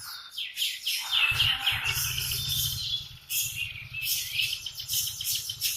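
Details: Morning canary song, a dense run of fast high chirps and rolling trills with hardly a break, over a steady low mechanical hum.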